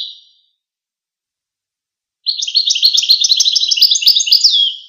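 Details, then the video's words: Goldfinch song with a faint tail of notes at the start, then after a pause a long, fast chittering series of high notes ending in a clear downward slur; nothing else audible. "Songs of the Goldfinch"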